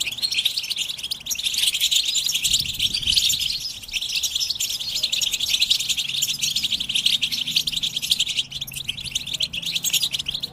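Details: Many European goldfinches twittering together, a stimulation track of mating calls to make males sing nonstop; an unbroken, dense wall of high, liquid chirps and buzzes lasting over ten seconds.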